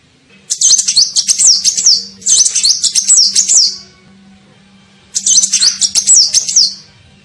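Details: Lure call of a sunbird, played to draw in other birds: shrill, fast chattering phrases of looping high notes in three bursts, with a faint low hum underneath.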